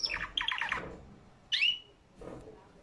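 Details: Caged canary singing: two quick bursts of rattling, stacked chirps, a pause, then a single loud upslurred squeak, followed by a softer murmur, with faint room noise.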